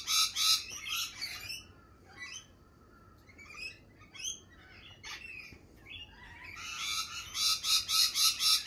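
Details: Lorikeets in spring screech in harsh, rapid bursts at the start and the end. Softer chirps and squeaks fill the quieter middle, suggesting a busy flock.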